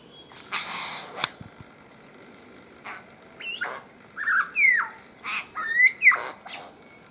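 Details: Albert's lyrebird, a male displaying and calling in dense shaking foliage in Main National Park, Queensland, with a repertoire that includes imitations of Satin bowerbird and Crimson rosella. Varied whistled slurs rise and fall between sharp clicks and noisy bursts.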